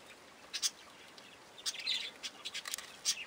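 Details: Young Java sparrows feeding together: soft, thin, very high chirps and short twittering notes, a few isolated at the start, then a denser run of quick overlapping chirps in the second half.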